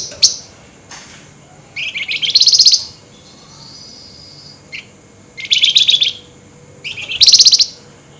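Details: Flameback heard at night in an excited state, three fast, harsh rattling trills rising in intensity, each about a second long and separated by pauses of a few seconds.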